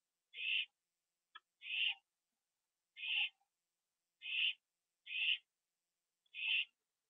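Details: Owl at a nest at night, October 2011, where a delivered bird was eaten inside; six short raspy screeches spaced roughly one second apart, plus a soft click.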